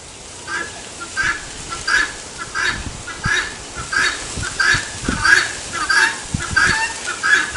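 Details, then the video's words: Helmeted guineafowl calling 'tô fraco', a rhythmic string of rasping two-syllable cries about every two-thirds of a second, with a few soft low thumps in the background. "GALINHA DA ANGOLA Cantando TO FRACO! Canto do CAPOTE"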